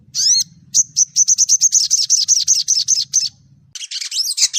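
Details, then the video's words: Sogon (sunbird), a young untrained bird's song used as a prompt to get other birds singing quickly. High, thin, rapid chirps in a steady series, with a harsher burst of squeaky notes at the end. "Terapi suara burung sogon bahan agar cepat ngriwik,cuit cuit crett"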